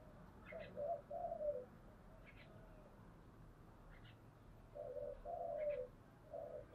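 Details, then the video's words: Spotted dove in giọng thổ voice, incited to fight. Mellow, throaty coos in short groups sit low under steady background hiss, and thin higher chirps from other birds are heard. "cu gáy giọng thổ/ cu gáy thúc đấu căng lửa"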